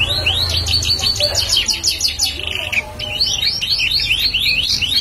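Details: Bar-winged prinia singing energetically, a bird kept as a prospective decoy: rapid series of sharp, chirpy notes repeated in quick bursts, briefly pausing near the middle before resuming, with a low hum underneath.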